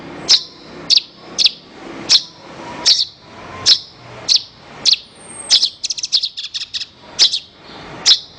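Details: Horsfield's bush lark (branjangan) song recorded to train other birds. Crisp high chirps arrive roughly every half second, interrupted midway by a fast rattling burst of clustered notes, then the steady chirping resumes.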